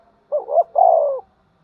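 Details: One spotted dove phrase from a fighting-and-calling bird: short wavering double coo, brief gap, then a sustained descending coo.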